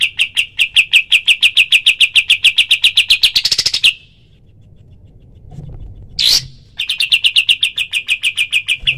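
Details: Cotton pygmy goose training call: a long run of fast, sharp high notes that speeds into a brief louder flourish, falls silent for a few seconds, then one short burst before the rapid series starts again.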